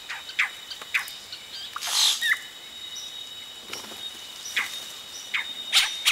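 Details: Nestling yellow-rumped caciques calling as adults arrive at the nest, recorded close; scattered sharp high chips and a loud raspy burst near the start, then spaced single squeaky notes, other birds calling.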